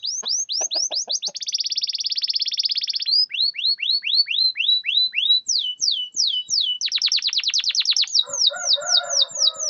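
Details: Canary singing in a piece meant to prompt stuck or mute canaries to sing: rapid rising whistled notes, a sustained buzzy roll, more swooping tours, then fast rattling trills and a lower chattering passage.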